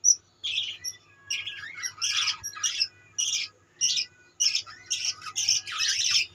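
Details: Flock of budgies in a colony chattering: rapid raspy squawks and chirps in blocky bursts, about a hundred per minute, many birds overlapping, with a faint low hum.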